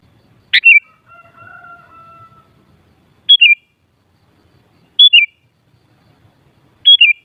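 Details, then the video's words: Sooty-headed bulbul song meant to excite other bulbuls into answering: short bright whistled phrases, each a sharp upstroke dropping into a wavering twiddle, repeated about every two seconds, with a lower steady drawn-out whistle early on. "Suara Burung Kutilang Paling Ampuh Untuk Menaikan Emosip Jadikan Kutilang Gacor Nyaut"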